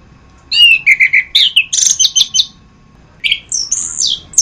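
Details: Orange-headed thrush (anis kembang) in a masteran song recording: a burst of bright, varied whistled and chirping notes, a pause of almost a second, then a final rising and falling whistled phrase; a steady faint hum underneath.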